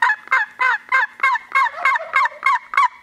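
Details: Gould's turkeys on Mt. Lemmon, a restored population in southeastern Arizona's Sky Island ranges: loud, close, throaty gobbling notes repeated about three times per second, evenly spaced and rattling throughout.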